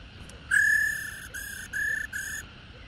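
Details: Old wild female Black-throated laughingthrush giving 'ro' calls to stir caged males: one long steady whistle followed by three shorter flat whistled notes at even spacing.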